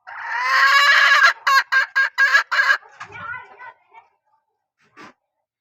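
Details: Hen from a strain noted for strong calling gives a long, harmonic, drawn-out note of over a second, then six loud, evenly spaced clipped syllables, fading into softer calls and a faint distant note.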